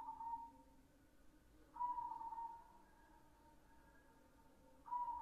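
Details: White zebra dove singing: short clear whistled coos at one steady mid pitch, each under a second, separated by pauses of one to three seconds, with a faint low hum behind.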